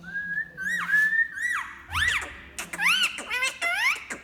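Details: Green Indian ringneck parrot making different sounds: a long, level whistle, then a run of looping whistles that swoop up and down, given in bursts about every half second with short pauses.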